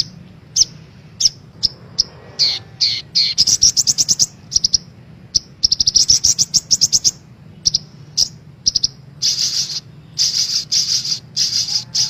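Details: Female brown-throated sunbird calls, used as a lure to make caged birds sing: bursts of sharp, high chips, some in rapid rattling runs, separated by short pauses, over a faint low hum.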